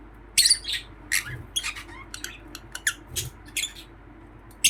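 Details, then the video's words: A happy lovebird chirps in short, high, scratchy bursts, about a dozen squeaky notes over five seconds, with a faint room hum beneath. "Happy Love bird chirping sound"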